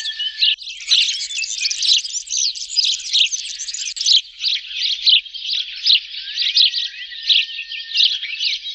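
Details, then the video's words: Many sparrows chirping together in a thick, restless twittering, short bright notes piling over each other almost without pause, with a brief dip in the noise near the middle before the chatter resumes. "best sound of sparrow"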